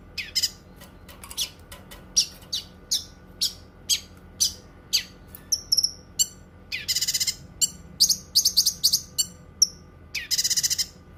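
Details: Continuous Cucak kinoi song, suited to training other birds and to therapy: a long series of sharp high chips at a steady pace, interrupted by dense buzzy bursts and occasional thin whistles.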